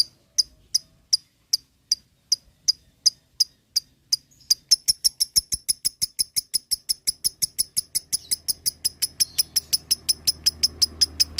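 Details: Lovebird in ngekek style, played to prompt other lovebirds to chatter; sharp chirps start spaced about every third of a second, then speed into a fast, even rattle that keeps going to the end.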